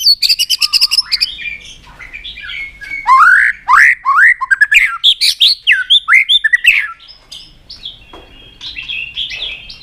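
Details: White-rumped shama singing its varied competition song: fast high rattling chips, then a loud series of rising slurred whistles in rapid phrases, fading to softer warbles.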